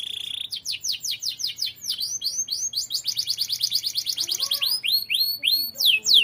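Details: Actively singing canary used as a tutor recording: a brief steady tone, then a fast run of downward-sweeping whistles, a rapid rolling trill, and more swooping notes.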